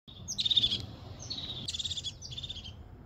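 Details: A crested tit in wild nature in the upper Cembra valley, Trentino, gives high, thin, buzzy trilled calls in four quick bursts over three seconds, over a low background rumble.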